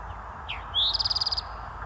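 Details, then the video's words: Eastern towhee sings one quick phrase: a short falling note, a rising slur, then a fast, high trill of about ten notes, over a low steady hum. "Eastern Towhee"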